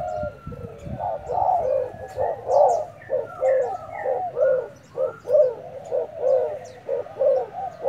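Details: Newly acquired decoy spotted dove dueling in song: steady run of hollow, throaty coos repeated roughly once a second, over higher thin chirps and short whistled notes from other small birds.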